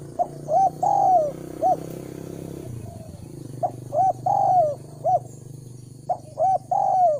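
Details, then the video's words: Cooing of a spotted dove used as a lure for wild doves: three-part phrases of short coos and a drawn-out descending note, repeated about every two to three seconds, with a steady low hum behind. "Chim cu gáy chiêu kích mồi tập bổi nhanh nổi hiệu quả"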